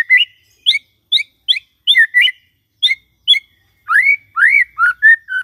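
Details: Shama (White-rumped shama) morning song meant to stir a silent shama: sharp clipped high chips spaced about every half second, followed by rich rising whistles in a slower repeated phrase.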